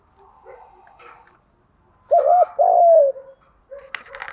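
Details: Spotted dove, male or female, from a recording played to make doves start cooing: one loud phrase of a brief double note and a long sliding coo, preceded by faint soft calls and followed by a clatter.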